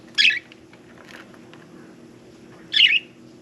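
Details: Bathing pet budgerigar giving two loud raspy squawks about two and a half seconds apart, with faint chatter between them.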